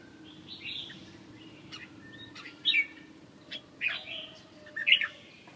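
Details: Red-whiskered bulbul heard at moderate distance, giving scattered short whistled and warbled phrases against a steady low hum and background hiss.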